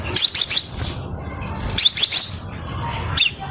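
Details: Clear song of a crimson sunbird used as a training and lure model: three bursts of rapid, very high chirping twitters separated by short pauses, with faint thin whistles between and a low background hum.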